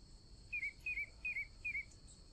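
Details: Chalk-browed mockingbird singing four evenly spaced, slurred whistled phrases, each a wavering downward note about every third of a second apart, over a constant thin high-pitched hiss.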